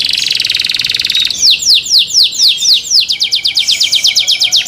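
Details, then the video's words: Kept canary singing, its song said to prompt other canaries to join in: a fast, high, buzzy rattle, then a row of loud downslurred whistles about three per second, speeding into a quicker trill of sweeping notes. "THE SOUND OF CANARIES CAN MAKE OTHER CANARIES JOIN TO SING"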